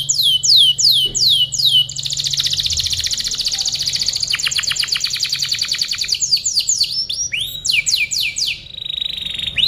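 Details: Canary master song for training other birds: swooping repeated notes, a long, rapid buzzy trill, a rattling run of clicks, then further slurred whistles and rolls.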